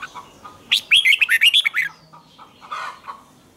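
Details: Morning song of a Red-whiskered bulbul, recorded as training audio in the tense 'double twisted' style: a quick string of bright, slurred, up-and-down whistled notes, followed by softer lower chirps.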